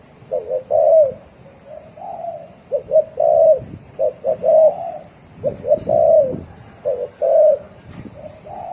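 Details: Fast 'thổ còi' cooing of a spotted dove: a steady stream of short hollow hoots grouped in twos and threes, each group ending in a longer coo, with low background rumble.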